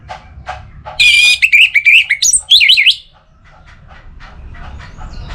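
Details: Orange-headed thrush (anis merah), kept for song, starts with a harsh buzzy note and runs into a two-second stream of loud, twisting whistled notes. Soft ticking notes come before and after.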